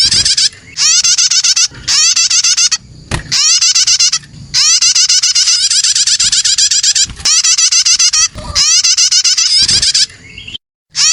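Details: Young prinia calls used as a lure to attract other birds: rapid, harsh, buzzy chirps in dense bursts lasting one to two seconds, separated by brief pauses, with a faint low rumble beneath.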